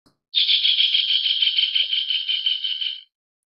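A Javan kingfisher gives one harsh, fast rattle of about three seconds, high and buzzy, fading slightly at the end. It is heard against silence.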